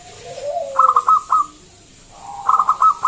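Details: Loud local zebra dove lure: a low descending coo leads into a quick series of sharp high stuttered notes, repeated again after a short gap.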